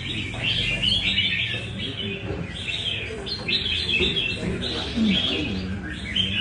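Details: Red-whiskered bulbul from Nam Đông, Vietnam, during café practice in Đà Nẵng, pouring out a continuous string of cheerful whistled and chirpy phrases, with a murmur of low background noise beneath.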